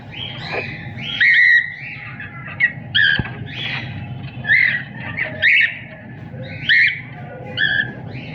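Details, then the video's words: Cockatiel singing and chirping: short bright chirps and whistled notes come in bursts with pauses, over a steady low hum. "Cocktail singing and chiriping"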